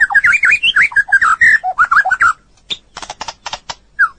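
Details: White-rumped shama on a long training recording for other birds, delivering a rapid run of varied warbled whistles for about two seconds, followed by spaced dry clicking notes and a final whistle.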